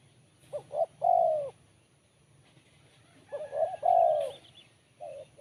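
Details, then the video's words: Spotted dove with a crisp, sharp Kuk 1 voice. Two full phrases of short double notes plus a long sliding coo, then the start of a third, with faint chirps overhead. "Poin BL Kuk 1 Suara Mersik Tajam"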